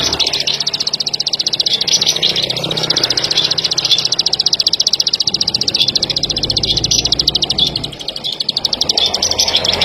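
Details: Plain prinia of rice fields, corn and sugarcane fields: a rapid, dry, clicking series, almost four clicks a second, running without a break over a hissy outdoor background.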